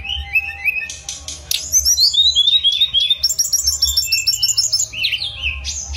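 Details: Song of a mangrove blue flycatcher: a few rising whistles lead into a long, rapid rattle of repeated high notes and bright descending slurs, with a soft hum underneath.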